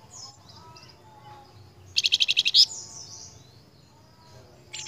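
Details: Flamboyan bird, singing vigorously on a lure recording for cage birds: a loud, rapid, buzzy trill of about eight pulses, surrounded by thin high whistles and ending as another trill begins.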